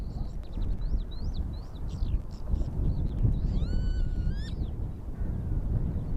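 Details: Northern lapwings at Oandu, Virumaa, Estonia, in March 2022, giving a run of short, slurred up-and-down notes, then a wheezy rising 'pee-wit' call, over heavy wind rumble.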